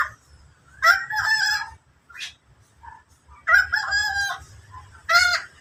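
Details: Endemic bird calling loudly in long, harmonic, crowing phrases of about a second each, three bursts separated by pauses with shorter notes between, over a quiet low background hum.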